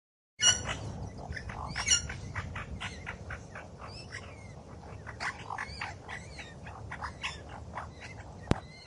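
Australian magpie pouring out a busy stream of varied fluting, warbling notes and harsh squawks, several each second, over a low rumbling background.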